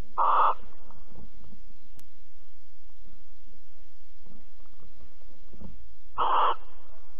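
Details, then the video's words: Barn owls at Alphen, 22 April 2020, mating and cuddling: two short, harsh hissing screeches at the start and end of the clip, separated by quiet rustles and hum. "Kerkuil Alphen 2020 04 22 Paring en Kroelen"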